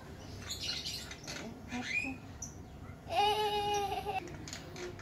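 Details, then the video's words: Lovebird chick being hand-fed, taken from its parents because the brood was large; after soft chirps and people talking, one loud, harsh, steady squawk lasts about a second, then trails off. "KASIH MAKAN ANAK BURUNG LOVEBIRD | memberi makan burung | anak burung berkicau"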